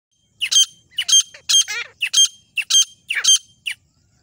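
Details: Female desi grey francolin calling: a series of loud, harsh, squawking notes with sharp high overtones, repeated in quick bursts about every half second, seven bursts in all, against a quiet background.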